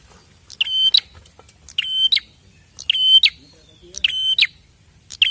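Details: Lure recording of a prinia calling: harsh, buzzy paired notes with a snapping start, given in steady bursts roughly every second against a quiet background.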